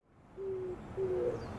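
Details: Oriental turtle dove cooing with its chest puffing out as it calls: two low, hollow, steady coo notes, the second longer with a slight upward bend, over a quiet background.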